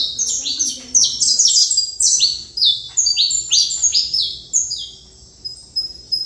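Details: Song of a saffron finch: clusters of crisp, down-sweeping chirps repeated in rapid phrases, a quieter stretch near the end, then a few scattered sharp notes.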